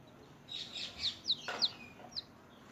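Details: Newborn chickens, freshly hatched, active while feeding: a run of shrill descending peeps, five or six in under two seconds, some overlapping, with one brief dull tap in the middle and quiet background.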